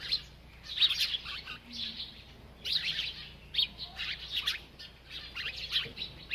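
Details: Chirping from a bird busy eating: clusters of sharp, high twitters come in bursts, one group at the start, another near three seconds and more toward the end, separated by brief quieter gaps.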